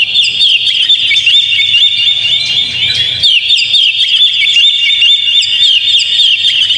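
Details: Oriental magpie-robin song played to coax a caged bird into singing: a dense, unbroken stream of high twittering notes and quick upslurred whistles, about four per second, with a faint low hum early on.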